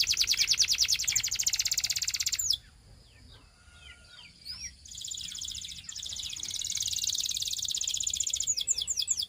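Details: A Belgian canary sings a dense, rapid trill, pauses into soft scattered chirps, then resumes with a long buzzy roll and a few sharp sweeping notes at the close.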